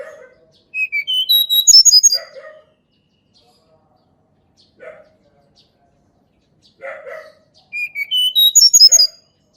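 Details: Tledekan gunung, or Sunda Robin, singing in the wild as lure material for birds that rarely sing: two bright descending whistled phrases with a high twittering finish, separated by short rough chattering notes and silence.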